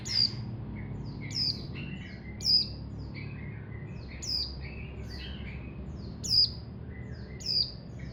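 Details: Javan white-eye (pleci), a caged Montanus-type bird under training as a song prospect, giving short high thin phrases with sharp descending notes about every second, steady low hum beneath.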